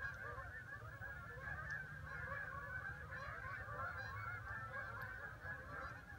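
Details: Geese honk together in a steady, overlapping chorus of nasal calls, continuous throughout, with a low rumbling background.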